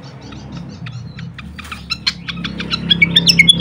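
A pied fantail sings a quickening run of short, high chips that builds into clear, squeaky whistled notes, with a low steady rumble behind.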